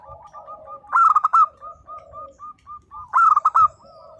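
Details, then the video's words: Two loud, vibrant, trilled coo phrases from a local zebra dove, roughly two seconds apart, with a thread of soft, short repeated coos before, between and after them. "perkutut lokal gacor _suara nembak perkutut lokal bisu_"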